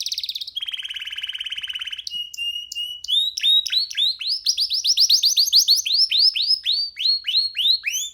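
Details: Canary singing on a person's hand: a fast buzzing rattle, then a flat sustained whistle, then rapid repeated hooked and sweeping whistled notes rising and falling in pitch.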